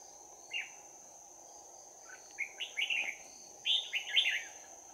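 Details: Red-whiskered bulbul in a trapping session, 11 January 2019, singing a bell-voiced close-combat fighting song: a lone note, then two lively phrases of rapid warbled notes, the last loudest, over constant insect drone.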